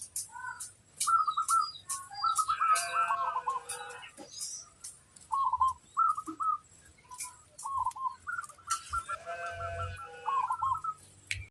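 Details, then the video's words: Local zebra doves, several birds singing together to draw answers from other doves; repeated bursts of soft, rolling whistled coos near one pitch, phrases overlapping and answering each other, with faint high chirps and clicks around them. "pancingan suara burung perkutut crossing"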